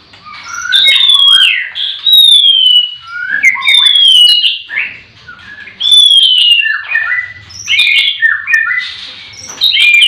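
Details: White-rumped shamas singing in breeding-farm cages in the morning. Loud, clear whistled notes slide downward, mixed with rapid fluty warbles, in phrases repeated every couple of seconds. Other birds chatter behind.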